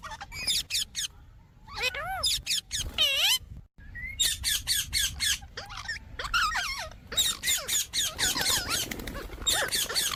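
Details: Indian parrot kept as a pet, squawking in dense, rapid bursts of shrill, ringing screeches with some arched, wavering notes, briefly broken by a pause, over a steady low background hum.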